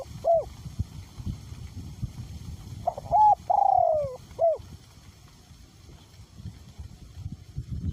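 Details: Spotted dove kept as a decoy, cooing in strong wind with a small-to-medium voice. A hooked note, then a phrase of short rising notes, a long sinking coo and a final curled note, followed by several seconds of wind rumble.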